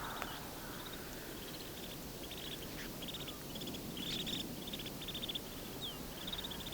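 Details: A flock of a few hundred wintering snow buntings in flat farm fields of Haldimand County, Ontario, in winter, gives short, dry, high rattles, several a second from many birds, over a steady hiss of wind.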